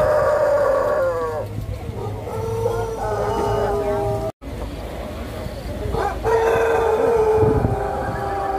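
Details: Pelung roosters crowing in turn at a crowing contest at a durian agritourism site in Karangrau, Banyumas, Indonesia; three long, level crows, each sliding slightly downward, with human voices murmuring between them.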